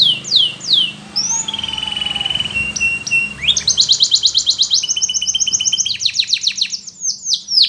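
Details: A canary sings Russian-style flute song, meant for training: quick downward whistles, a long pure flute-like note, then fast, bright rolling trills, all high and clear with little else heard.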